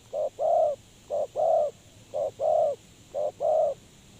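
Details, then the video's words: Spotted dove, a decoy bird whose call lures others into traps, gives paired coos: a short note followed by a longer drawn-out coo, the pair repeated four times about once a second, low and mellow against quiet hiss. "The Sound Of Bird Dove is good,Bẫy cu gáy bằng mồi trồn"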